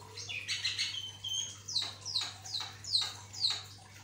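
Javan myna in lively song: a scratchy, jumbled opening burst, then a series of sharp descending chirps repeated about every half second, over a steady low hum.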